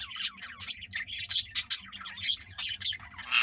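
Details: A pair of green rose-ringed parakeets trying to mate give a rapid run of harsh, high squawks and chattering notes, several per second, with a faint low hum underneath.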